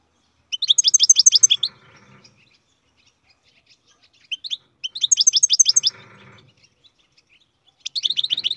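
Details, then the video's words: A captive-bred European goldfinch sings three short phrases, each a quick string of high, sweet twittering notes lasting about a second, separated by silences of a few seconds. A soft low rumble sits beneath the phrases. "Goldfinch carduelis singing"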